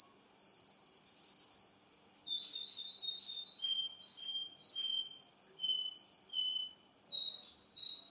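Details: Russian canary male singing: a long high sustained whistle opens, followed by a rapid rolling phrase of short repeated notes, then evenly spaced clear whistled syllables alternating between two pitches.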